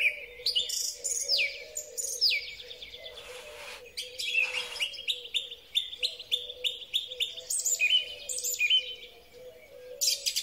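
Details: Song thrush (Turdus philomelos) in spring sings loud, varied phrases, bright whistles and sharp chips in quick succession, with a faint steady low hum behind.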